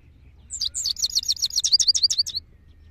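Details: A singing male goldfinch gives a two-second unbroken run of fast, liquid, downward-sweeping high notes, evenly spaced and ringing, over a soft low hum.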